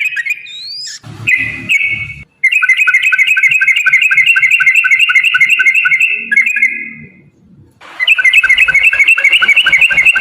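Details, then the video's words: Yellow-vented bulbul in a long rapid-fire 'ropel' song, used as a lure to make other bulbuls answer: rapid, evenly spaced whistled notes run together in long rattling bursts, broken by a short pause and a brief low rumble. "trucukan gacor TARUNG ROPEL PANJANG pancingan trucukan agar bunyi"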